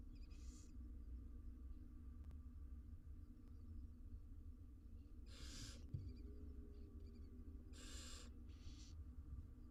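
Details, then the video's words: Barn owl chicks in an Israeli research nest box at feeding time give sparse breathy hissing screeches, one early and a close pair near the end, over a low droning background. "All 6 barn owl nestlings get fed insnside nesr box"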